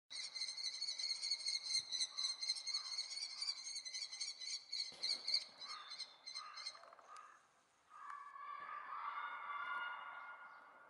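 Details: Common kestrel chicks waiting since morning for a parent to return with food, 2 June 2018; rapid, harsh, repeated squealing notes, about four per second, fading out before softer, lower drawn-out tones at the end.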